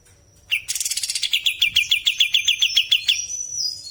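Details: Sooty-headed bulbul singing lively in its natural voice: a sudden burst, then a fast run of about fourteen sharp, even notes repeated several times a second, ending in a thin high held tone.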